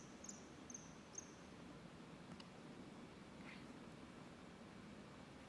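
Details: Common kingfisher (Alcedo atthis) at fish ponds in the Draga valley, 20 November 2022, giving three thin, shrill, very high whistles in quick succession over the first second, then steady low background rumble.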